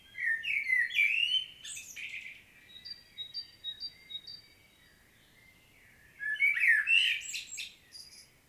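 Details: Field recording of a common blackbird, Świnoujście, Poland, 25 September 2022: rich fluty warbles, then a quiet run of high thin squeaky notes, then another loud, swooping, mellow phrase.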